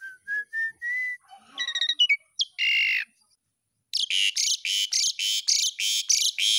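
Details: Asian pied starling, recording played to stimulate young birds to sing, gives a run of clear, slightly rising whistles and mixed chattering notes, then a fast series of harsh, buzzy squawks about three per second.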